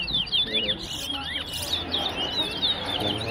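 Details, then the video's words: Towa towa song at a whistling competition at Tuschen bird ground, West Essequibo: rapid high whistled slurred notes, rising and falling, repeated continuously, with a man counting aloud and faint background murmur. "WESSEQUIBO TOWA TOWA BIRD WHISTLING COMPETITION AT TUSCHEN BIRD GROUND"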